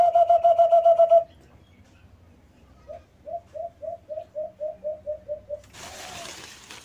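A brown dove gives a quick burst of hooting notes, then a series of about a dozen soft, low coos that speed up. A short rush of noise follows at the end.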